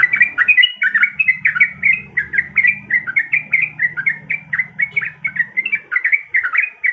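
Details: A breeding-condition female yellow-vented bulbul summoning the male: lively, bubbly chatter of short warbled notes repeated rapidly and unbroken throughout, with a soft low murmur underneath.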